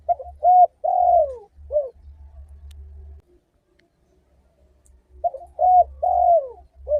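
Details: Lure recording of spotted dove song to prompt other doves: two short coos, a long croon dropping in pitch and a clipped closing note, silence, then the same phrase repeated, with a low hum behind the first phrase.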